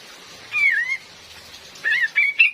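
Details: Female cream-vented bulbul call meant as a lure for catching birds in the forest, rain in the background: a wavering whistled note, a pause, then a burst of quick chirpy whistles.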